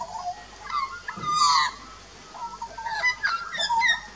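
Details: An adult and a juvenile Australian magpie (Gymnorhina tibicen) duet at a backyard birdbath on 2 March 2018, trading rich, fluty warbles with gurgling, rising and falling notes in quick uneven phrases, with a brief pause midway.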